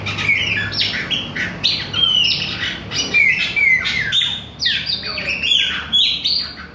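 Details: Chopi blackbird of the Bahia (baiano) type singing nonstop at other birds: a dense, loud run of clear whistles, slurred upward and downward notes and harsh chips, packed closely together without pause, with a faint low hum beneath.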